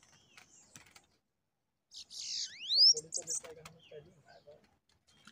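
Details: Bananaquits, a pair come to fight a caged bird during trapping, utter one sizzling high buzz with a fast rising whistle, then a few short chips while a man speaks softly.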